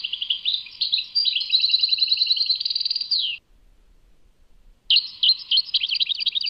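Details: European goldfinch from Tadmait giving a three-second stream of twittering and trilled song that ends in a downward slur. Then silence, and the bright chirping starts again.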